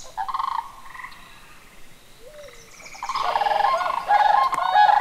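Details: Introduced whooping crane flock on an evening in late May 2019 at Necedah National Wildlife Refuge, Wisconsin, competing with smaller sandhill cranes: loud, brassy, harsh overlapping bursts building in the second half, with rattling sandhill calls mixed in.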